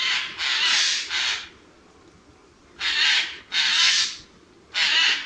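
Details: Eurasian jay uttering loud, grating screeches in two bursts: three rasping calls in quick succession, a pause of over a second, then three more spaced calls.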